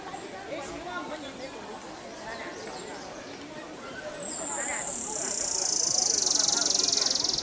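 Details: Buff-barred Warbler at Long Lake, Jiuzhaigou, 3100 m, 25 June 2014, first taken for Gansu leaf warbler: a very high, fast, dry trill that slides slightly down then holds steady for about four seconds, after faint human voices.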